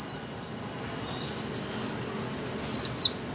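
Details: Female white-eye call used to encourage silent birds to sing. Soft, high falling chirps repeat steadily, ending with one loud, sharp descending note.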